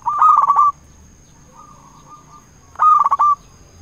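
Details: Local zebra dove in full voice, the call used as a lure to excite rivals into replying: two loud, rapid rolling coo phrases about two and a half seconds apart, with a faint softer cooing between them.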